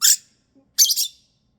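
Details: Female pet lovebird in a bedtime tantrum, wanting to go to bed: two harsh, loud screeches, the second a longer double squawk, with a brief pause between.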